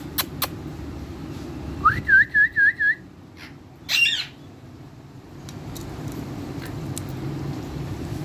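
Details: Caged talking parrot giving a short run of five clear whistled notes, each dipping and rising, spaced about a quarter second apart, followed by a harsher burst; faint clicks and a low background hum.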